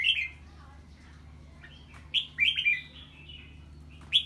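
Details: In the 'ché' singing style, a red-whiskered bulbul reacts to an unfamiliar bird with bubbling, slurred notes in quick bursts. Fainter warbles come in between, with a faint low hum beneath.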